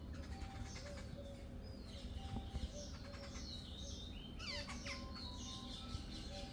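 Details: A gang of jungle babblers calling together: overlapping squeaky chatter, sharp chirps and several descending whistled notes, with a steady low rumble underneath throughout.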